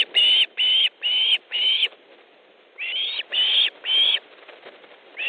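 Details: Osprey at its nest in Estonia on 3 August 2014 at 15:30, calling as one bird delivers a fish and another arrives. Loud, high whistled notes repeat about twice a second in two runs, four notes then three, separated by a short pause.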